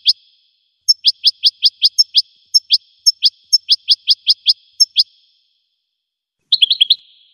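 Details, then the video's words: Goldfinch song: a clean run of about twenty short, bright, high-pitched notes, quick and evenly paced at first, then more spaced, followed after a pause by a brief tangled twitter; no other sounds. "Magic of the melody of the goldfinch's song"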